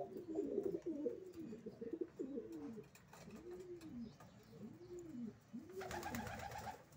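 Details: Racing pigeons cooing: a busy run of low coos, then three clear, separate arched coos about a second apart, followed by a short burst of rustling, perhaps wingbeats.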